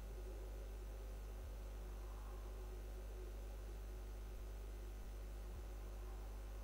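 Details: Constant low electrical hum under a wash of hiss, with a few brief low clicks; no animal voice heard.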